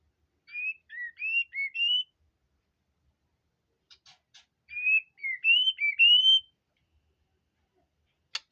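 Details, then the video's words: White-rumped shama singing prolifically: a phrase of five clear, fluty whistled notes, mostly rising or slurred, repeated almost identically after a pause, with a few faint clicks between. "burung murai gacor"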